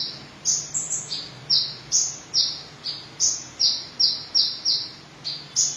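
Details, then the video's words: Van Hasselt's sunbird singing actively: a string of piercing high notes, each a short slur dropping in pitch, delivered in quick irregular succession above faint hiss. "Kolibri Ninja Dada Merah Gacor"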